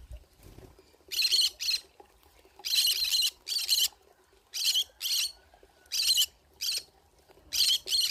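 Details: Pineapple conure found out in a forest, giving about a dozen harsh, scratchy squawks in rough pairs, spaced a second or so apart after a brief quiet start.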